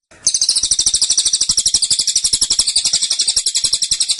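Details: Caged cililin shooting out a dense tembakan: shrill pulses at roughly four per second, continuous and insistent for about four seconds.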